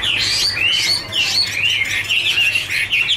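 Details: Chinese hwamei (Garrulax canorus) singing during a dancing duet: clear whistled notes bending upward and downward in quick succession, forming a lively, melodic warble.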